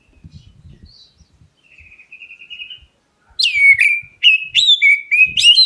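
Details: Black-breasted Oriental magpie-robin calling to draw other birds into answering: quiet thin whistles and a soft trill, then loud, sharp whistles sweeping downward in quick succession, over faint low knocks.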